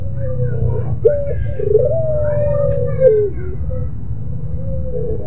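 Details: Mournful pelung coo of a Barbary dove: a falling tone, a brief break, then a long level hoot dropping at its end, with a weaker coo after. A heavy low rumble fills the background.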